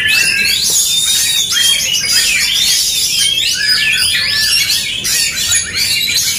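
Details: Oriental magpie-robins locked in an aggressive song duel: bright swooping whistles and rasping, buzzy notes stack densely in rapid rising and dropping phrases, the singing loud and continuous from start to end.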